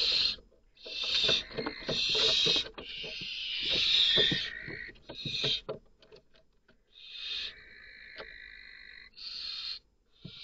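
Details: Barn owl chick in a nest with its sibling, defending itself while the mother is out hunting and an unfamiliar female intrudes. Harsh, hissing screeches come in irregular bursts, with clicks and a brief steady whistled tone near the end.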